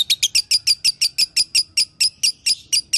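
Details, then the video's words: Lovebird song for coaxing a pet lovebird back into song: loud shrill chirps in a steady series of about five per second, each note sharp and high. "Putar Suara ini agar LB anda akan kembali Bunyi"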